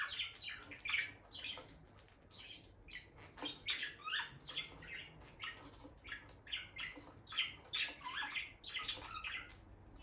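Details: Bonded pair of peach-faced lovebirds near their nest box, sharing gentle moments; busy stream of squeaky chirps and raspy twitters, roughly two notes a second, uneven and chattering throughout.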